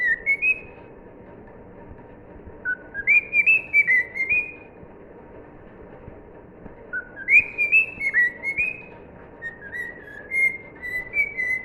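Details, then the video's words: Cockatiel whistling "If You're Happy and You Know It" in three separate bursts, each a run of pure whistled notes rising and stepping between pitches, with quiet gaps of a couple of seconds between them. "Cockatiel sings If you're happy and you know it"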